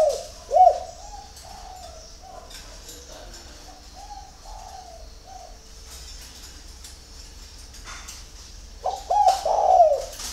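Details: Spotted dove in early morning at Ba Vì, Hanoi, Vietnam, giving a series of soft low coos followed by a louder stuttered coo near the end, with faint background chirping and clicks.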